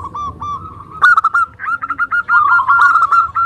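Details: Local zebra dove from Indonesia singing strongly, meant to lure other doves into answering: soft rolling coos open, then a loud, fast run of staccato cooing notes continues almost unbroken to the end.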